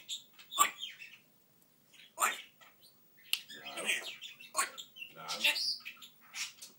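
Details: Talking African grey parrot uttering scattered raspy, word-like phrases and squawks in uneven bursts, with short quiet gaps between them indoors.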